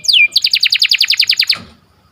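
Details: Canary song at morning time opens with a high whistle that slides down. A rapid, regular trill of about fourteen repeated double notes follows, then the song stops abruptly.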